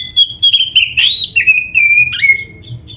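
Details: Kacer, the oriental magpie-robin, in a lively rich song for training caged birds: high whistled notes sliding downward, a brief buzzy burst, then a long clear falling whistle, over faint low hum.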